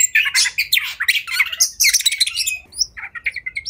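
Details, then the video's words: Agitated oriental magpie-robin (kacer) in fighting song: loud harsh rasping bursts for two and a half seconds, then a quieter series of short clear whistled notes. "Kacer Gacor Tarung Emosi Tinggi! Buat Kacer Lain Langsung Ikut Emosi Auto Buka Ekor"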